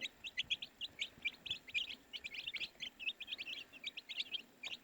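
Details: Chirping of baby domestic chicks: dense, high, clipped peeps repeat rapidly and almost without break, many notes overlapping as several chicks call together. No other clear sounds.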